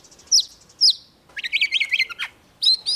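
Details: Young Oriental magpie-robin singing vigorously as a wild bird comes near: sharp whistled notes sliding downward, then a rapid burst of rising and falling chirps and another bright whistle, with short pauses between phrases.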